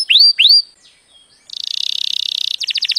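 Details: Young-canary training song: two rising whistled upsweeps, a short pause, then a dense buzzy high trill held about a second, closing with a quick stuttering series of sharp notes.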